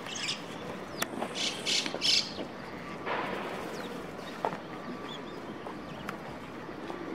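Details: White-cheeked starling calls recorded in Chikuma, Japan: a few short, harsh, rasping bursts cluster in the first two seconds, then scattered faint notes over a steady broadband background hiss with a low hum.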